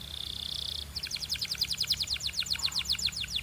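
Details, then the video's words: Canary coaching song opening with a buzzy steady note held under a second, then a brisk, rattling trill of short repeated chirps, about six per second, until the end. "DO THIS and your BELGIAN CANARY will SING A LOT!"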